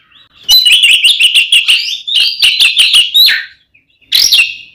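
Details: Oriental magpie-robin fighting song used to make rival magpie-robins emotional and aggressive: two rapid runs of clipped whistled chips, then a single loud arched whistle after a short gap.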